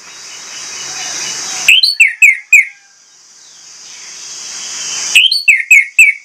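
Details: Orange-headed thrush delivering two short bursts of about four ringing, down-slurred whistles each, spaced roughly three seconds apart against steady background hiss.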